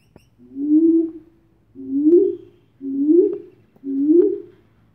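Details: Superb fruit dove (Ptilinopus superbus) in Virovitica, Croatia, giving four deep, soft hoots, each about a second long and slightly rising, repeated roughly once a second against a quiet background.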